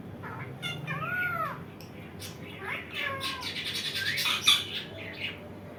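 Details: Indian ringneck parakeet producing arched, whining harmonic notes followed by a busy burst of rough chattering squawks, ending with softer calls, over a faint indoor hum.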